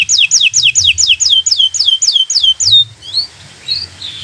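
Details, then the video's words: Local canary, bottle-green, singing as a master for young learners: about ten loud downward-swept whistles in quick rhythm, followed by softer, scattered high notes. "Suara Burung Kenari Gacor Cocok untuk Pancingan Burung Belajar Bunyi"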